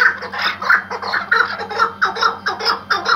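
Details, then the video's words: Iraqi white hunting partridge used as a tethered decoy, uttering bursts of harsh clucks in quick succession, loud and close, with a low background hum. "IRAK BEYAZ AV KEKLİĞİ - partridge - MUHTEŞEM KEKLİK HENGAMESİ"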